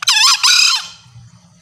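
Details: Green junglefowl female calling males: two harsh, buzzy screeches in quick succession, the second longer and trailing downward, then fading into a low murmur.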